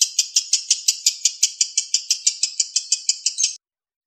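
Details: Lovebird konslet lure song: about twenty shrill, evenly spaced chirps in three and a half seconds, then silence.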